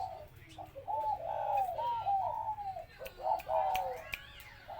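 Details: Household spotted dove cooing, with low mellow phrases that swoop slightly down and run close together. Near the end a brief higher, voice-like sound overlaps.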